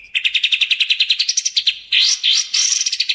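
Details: Lure recording of a sooty-headed bulbul for trapping and training: about twenty quick chattering notes climbing slightly in pitch, followed by harsh rising sweeps and a dense final burst.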